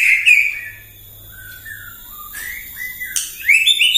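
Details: Morning song of a white-rumped shama, played to provoke other birds; a loud whistled opening, soft slurred whistles through a quieter middle, then a sharp note and bright rising phrases.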